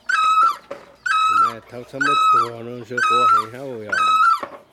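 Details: Great barbet repeating its loud, nasal, ringing note about once a second, five times, while a second, lower-pitched wavering voice calls between and beneath the notes.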